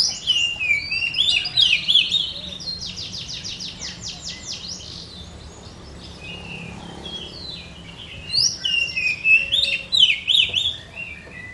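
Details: Oriental magpie-robin, a kept songbird with blorok colouring, in full song while pushing its tail: varied high chattering phrases and a buzzy rattling run, a pause, then more rich tumbling notes.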